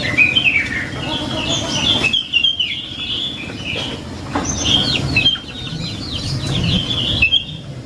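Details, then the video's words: Prenjak lumut prinia song used as a lure to draw other birds into answering: bursts of sharp, chirpy notes sweeping up and down, repeated in phrases with short gaps, over a steady low background rumble. "Suara Burung Prenjak Lumut | Pancingan Prenjak Lumut Isian Sekali Denger Langsung Nyaut"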